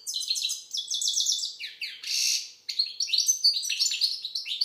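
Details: Unbroken high chattering from an Algerian goldfinch (maqnin): quick repeated tinkling notes, a loud harsh buzz in the middle, then more rapid liquid twittering.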